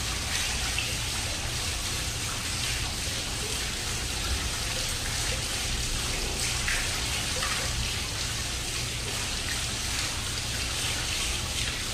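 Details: Steady hiss of rain or running water fills the whole stretch, with no clear animal call standing out.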